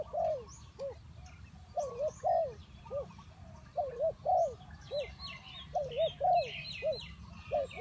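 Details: Spotted dove, used as a lure call for trapping, giving low, hollow coos in short arched notes, often in twos or threes, about every couple of seconds, with faint chirps of other small birds higher above.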